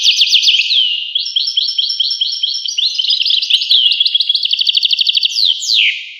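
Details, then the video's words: A European goldfinch gives fast trills and bright twittering phrases, then a series of rapid repeated chips, ending with a loud downward slurred note. "voice carduelis- Tweets the birds. Tones a bird Goldfinch. voice goldfinch-"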